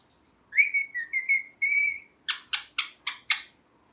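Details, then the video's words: Pet ringneck (rose-ringed) parakeet, described as a talking parrot saying "mithu": slurred whistled notes for about a second and a half, then five harsh, buzzy chirps spaced roughly a quarter second apart, over a quiet indoor background. "Parrot Chirping Sounds"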